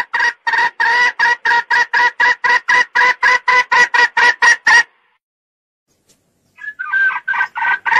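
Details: Red junglefowl call played to lure and trap male birds: a rapid run of about twenty clipped, clucking pulses, a pause of nearly two seconds, then the series resumes.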